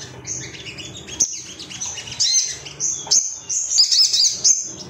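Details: Excited male Ruby-cheeked sunbird, said to be looking for rivals and used to make other birds sing, gives a tumbling mix of high squeaky chirps and thin twitters, intensifying toward the end, with a couple of sharp clicks.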